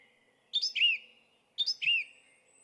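Song Thrush singing one phrase twice, a second apart: a sharp high note, then a clear whistle that slurs downward. Otherwise quiet.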